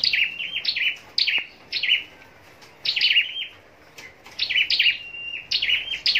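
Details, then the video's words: Scarlet-backed flowerpecker kept for contest singing in Long Thành, southern Vietnam, repeating high, thin chirped phrases that fall in pitch, with one sustained level whistle, about every second or two. "Chim Sâu Đầu Đỏ Hót Đấu"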